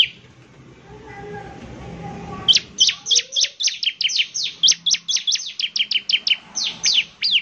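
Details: Lively bar-winged prinia song: after about two and a half seconds of near quiet, a fast, steady run of high, sharp, downward-slurred chirps follows, about four to five per second, continuing to the end.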